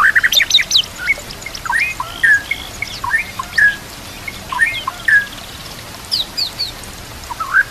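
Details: White-rumped shama song used as a training recording for other shamas, with nature sounds and trickling water: scattered whistled notes and short slurred phrases between 1 and 4k, separated by brief pauses over a soft steady background.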